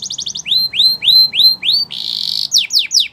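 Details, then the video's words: Spanish Timbrado canary training song: quick chirps leading into loud rising whistles about three per second, a short buzzy roll, then sharp descending notes. "Canary's Most Powerful Song For Training"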